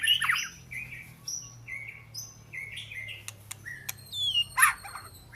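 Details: An Oriental magpie-robin sings short separate whistled notes at varying pitches, with crisp ticks between them and a harsher burst near the end, over a steady low hum.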